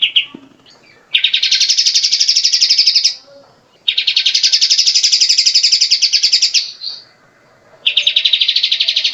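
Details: Grey-cheeked bulbul song used to tutor songbirds: three loud, dense, buzzy trills of rapidly repeated notes, each about two seconds long, divided by quiet gaps.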